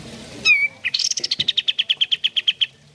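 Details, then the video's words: Sooty-headed bulbul, song played to stimulate caged birds to sing: a short whistled note, then a quick rising chirp leading into an even train of about fifteen sharp, evenly spaced notes. "Terapi Pancingan Kicau Kapas Tembak Gacor"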